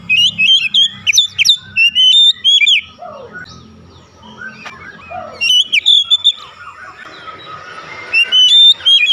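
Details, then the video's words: Oriental magpie-robin therapy song: bursts of loud whistles and sharp high upslurs, a quieter gap with softer descending notes, then more bright phrases, over steady low hum. "terapi KACER cepat buka paruh"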